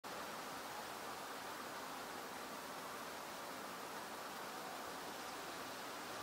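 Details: Dense, uniform rushing noise like flowing water fills the whole recording without any animal call.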